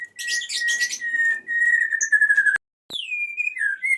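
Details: Male white-rumped shama calling a female: a long sustained whistle held steady under chattering notes, a brief break, then a sliding high whistle dropping into warbles.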